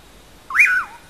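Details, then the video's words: Common pauraque song, known locally as "amanhã eu vou": a single clear whistled note that rises sharply, holds briefly, then slides down to a lower tail, over a quiet background. "Canto do Bacurau Amanha Eu Vou"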